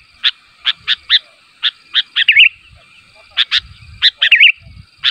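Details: A sooty-headed bulbul calls so that others of its kind answer; spaced bright chirps build into two rippling, wavy trills, with soft low knocks in the background.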